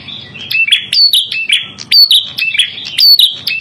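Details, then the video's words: Red-headed prinia (prenjak kepala merah) song used as a lure and tutor recording: bright, high chirped phrases of falling and rising whistled notes with thin squeaks above, phrases repeating about once a second, faint low rumble underneath. "Masteran Burung Prenjak Kepala Merah Paling Dicari"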